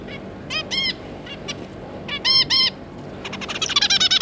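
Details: Adult zebra finch pair with three juvenile young, June 2022: short, nasal, trumpet-like call notes in spaced pairs, ending in a fast, excited chatter.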